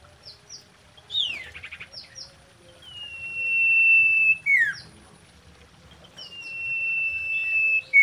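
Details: Common iora breeding song: paired high chips and a buzzing rattle, then a long flat whistle with a falling tail note, the long whistle starting again near the end.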